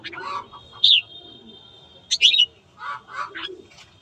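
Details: Morning song of a red-whiskered bulbul used to spur fighting; two bright slurred whistled phrases over a thin steady tone, with rougher chattering notes and background noise around them.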